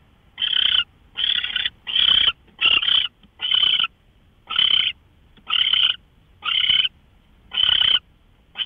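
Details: Early morning, 5:27 a.m., March 24, 2013: an owl produces rasping hiss-like bursts, about ten in under nine seconds, fairly evenly spaced, with near silence between them.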